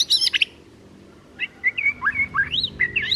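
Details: White-rumped shama song for the morning: a burst of high, buzzy, rapidly modulated notes, a pause, then a run of short rising and falling whistled slurs.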